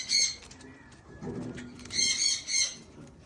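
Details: Harsh, ringing squawks from a blue eared pheasant enjoying green grass: one burst at the start, then several in close succession, with soft low rustling sounds between them.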